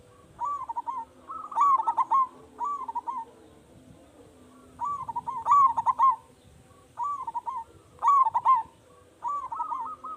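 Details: Big-voiced local zebra dove whose song lures other zebra doves into answering; repeated bursts of fast, warbling coos, phrases of several quick notes, in groups separated by pauses of one to two seconds, soft hum underneath.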